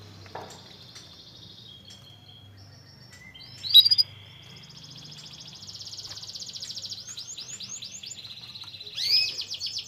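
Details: Canary song played to prompt a lazy caged canary to start singing again: thin high whistles and rapid trills, a brief loud burst, then a sustained rolling trill and sweeping slurred notes over a low background hum.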